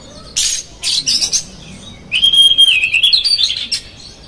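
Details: Oriental magpie-robin in full, vigorous song used as a lure to agitate other magpie-robins, with harsh fill notes: two bursts of loud rasping chatter, then a long sustained whistle that breaks into rapid warbling, chattering phrases.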